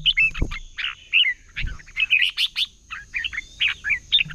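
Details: Red-whiskered bulbul competitive singing for bird training: a dense, busy stream of short warbled and chirping notes with almost no pauses, a couple of low thumps, and a constant high whine.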